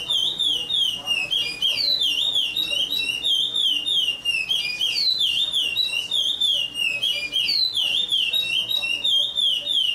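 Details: Chestnut-bellied seed finch (curió) singing in Paracambi, Brazil: a loud, unbroken stream of rich whistled notes that rise and fall in quick warbling phrases, with a brief dip near the middle, over a soft low hum.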